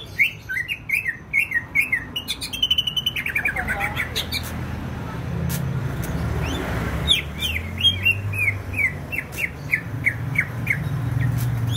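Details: Greater green leafbird from Banyuwangi, East Java, singing actively: rapid series of sharp, repeated chirping notes and a descending trill, a quieter stretch with low rumbling noise, then another fast run of bright, evenly spaced chirps.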